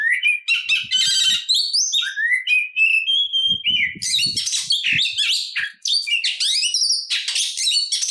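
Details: Oriental magpie-robin singing its fighting song to bait other birds into answering: long rising whistled slides mixed with raspy chatter and quick high trills, over occasional low rustling.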